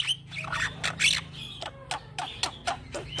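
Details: Young black-winged myna singing as a training tutor and lure for other birds: harsh squawks and short buzzy bursts at irregular intervals, over a steady low hum.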